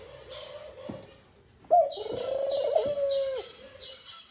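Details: A male Eurasian collared dove, courting at the nest, draws out a long, throbbing coo to call the female in, with rhythmic high chirps of other birds repeating throughout.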